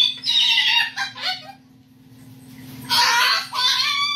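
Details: Umbrella cockatoo, a sassy male bird, swaying and hopping on a branch while answering his owner's warning that he might fall, mocking the remark; two loud, harsh, raspy vocal bursts separated by a quiet pause, a faint steady low hum underneath.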